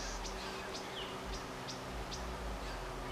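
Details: Orange-crowned warbler feeding in dry, seed-rich thistles at Oxbow Nature Preserve, Reno, Nevada, 8 October 2018, gives thin, high, sharp chip notes about twice a second over a steady low hum.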